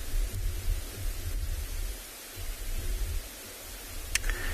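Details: Low rumbling wind noise and broadband hiss, with a brief sharp click near the end and no animal calls.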